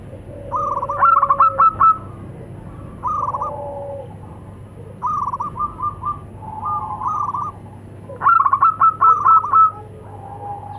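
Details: Male and female local zebra doves answering each other in the "nutut" voice style: four rounds of fast, stuttering, bubbly coos at roughly two-to-three-second intervals, interleaved with lower, drawn-out answering coos.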